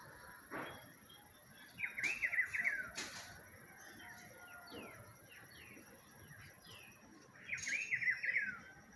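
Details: Rufous-browed peppershrike in spring: two warbled phrases of quick up-and-down whistles, separated by about six seconds, with thinner chirps from other birds in between and soft background noise.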